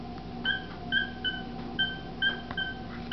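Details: One-year-old male pet cockatiel attempting his first words, his own name: six short clear whistled notes, each flat and evenly pitched, spaced about half a second apart over a steady low background hum.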